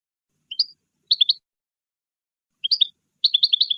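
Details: European goldfinch song, played for teaching young birds: bright, tinkling twitters in quick bursts of three to six notes, high-pitched and clean, with short silences between phrases.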